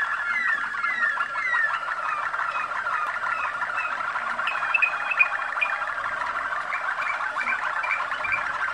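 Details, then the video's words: Caged Waterslager or Malinois canary from Macedonia, descended from international contest champions, delivering continuous rolling water-like trills mixed with short whistled notes and brief rising slurs throughout, over a faint room hum. "Waterslager, Malinois song"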